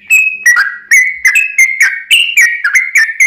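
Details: Lure song of a sooty-headed bulbul, intended to make other birds respond: a continuous, loud stream of slurred whistles that step between two pitches, with hardly any gaps.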